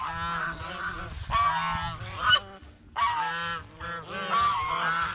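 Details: Goose feeding on bread and fresh vegetables in a fish pond gives loud brassy honks in drawn-out bursts, three main calls separated by brief pauses, with water and background rumble.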